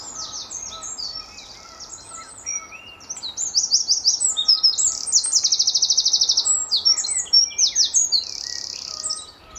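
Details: Eurasian wren at Standalone Farm, Letchworth, in March 2014, early morning, singing very loudly while answering a nearby wren across territories: long, rapid, high-pitched run of trills and chattering notes that grows louder midway, with buzzy rattling bursts.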